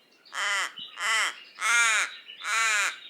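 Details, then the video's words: Raven calling four times in about three seconds, each call a harsh, grating caw of roughly a third of a second, spaced fairly evenly and loud against a quiet background. "Raven Sound | Mysterious Calls of One of Nature’s Smartest Birds"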